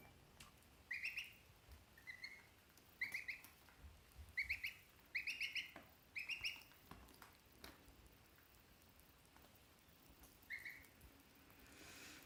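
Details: Pet geese, three kept together, giving a series of short, nasal, honking notes, repeated irregularly about once a second and sometimes doubled, then fading into quiet background noise.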